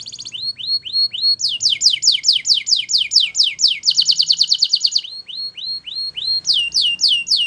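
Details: Belgian canary song meant to get canaries singing: rising whistled slurs, a run of descending notes, a dense rapid trill, more rising slurs, and a closing quick descending series.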